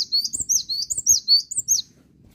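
A Cinereous Tit sings a quick run of high, bright, slurred notes, several rising then dropping, packed into about two seconds, with faint low rustling beneath.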